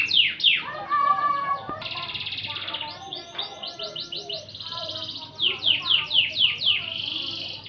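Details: Canary song as a tutor recording for training magpie-robins: fast downward-swept whistles, then a dense buzzy trill, a run of quick rising slurred notes, more falling sweeps and a closing buzzy roll, all high-pitched and continuous.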